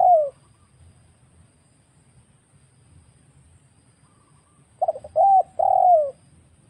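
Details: Wild spotted dove used as a trapping lure. The tail of a falling coo opens, and after a long silence a full phrase follows: stuttered notes, a brief rounded coo, then an extended downward-sliding coo.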